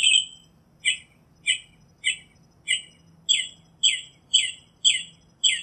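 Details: Northern mockingbird singing a run of short, sharp, downward-sweeping chirps, about ten in quick succession, getting slightly faster and louder toward the end; faint hum in the background.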